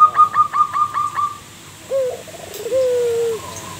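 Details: Local zebra dove used as a lure bird sings a quick stuttering series of six clear notes, pauses, then gives a longer gently falling mellow coo, ending with a faint higher note.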